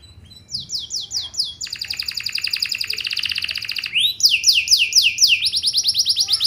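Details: Lively canary song for drawing other canaries to sing back: a few arched whistles, a long buzzing trill lasting over two seconds, then a burst of swooping repeated notes.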